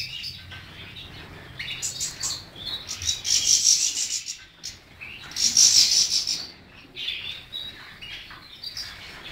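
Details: European goldfinch singing: dense buzzy, twittering bursts high in pitch, loudest in two long phrases near the middle, with softer rasping chatter between them.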